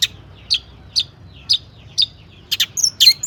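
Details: Lure song of a long-tailed shrike, packed with mimicked phrases to get other shrikes singing: short, buzzy chirps spaced about half a second apart, ending in a rapid cluster of higher, squeaky notes.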